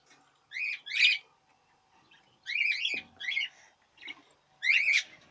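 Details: Budgerigars in the 2017 breeding season give paired, wavering chirps in quick clusters, the bursts coming about every second, over a faint steady hum and a brief low thud midway.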